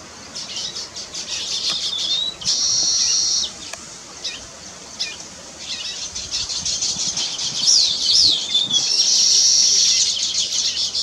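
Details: Weaver bird building its nest: ticking chatter, a sustained buzzy hiss, then a whistled rising-falling phrase and another long, harsh sizzling note.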